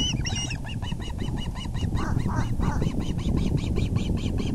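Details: Osprey at a nest as the male brings a big fish, 6 April 2020, 6:30 pm: a rapid run of sharp, upslurred whistled chirps, about five per second, over loud low rumbling wind noise.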